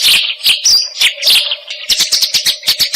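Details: Eurasian tree sparrow recorded for tutoring other songbirds: a rapid run of sharp, bright chirps, irregular at first, then quicker and more even near the end.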